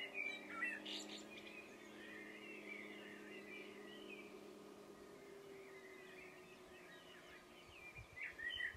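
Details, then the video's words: Soft, distant warbling of a common blackbird singing at dusk in loose mid-pitched phrases, with a steady low hum underneath. "Blackbird singing at dusk"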